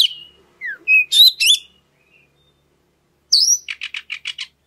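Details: Lure song of an oriental magpie-robin for stirring other birds to sing: a few clear whistles and a falling slur, a long pause, then a high whistle followed by about six rapid, buzzy chips.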